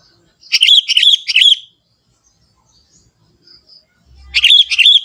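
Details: A young Sooty-headed bulbul from the forest gives its natural song. Three quick, liquid, warbling notes form a rich phrase, and a similar burst follows about three seconds later. A soft low thump sounds just before the second phrase.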